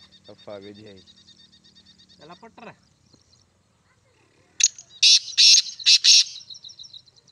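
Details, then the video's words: A man speaks briefly, then a black francolin gives a loud, harsh, grating phrase of about five rasping notes in quick succession. "Teetar ki awaz | Teetar voice | Black francolin voice | Teetar awaz"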